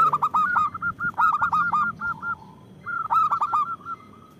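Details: ['Loud, active local zebra dove used for luring and provoking others. Three loud phrases of stuttering coos each trail into quick, clipped notes, with a low soft coo in between.']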